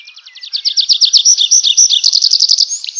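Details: Nightingale at night in a forest delivering a long, rapid run of high notes, about four per second, that swells in volume, with a twisting whistled passage in the middle.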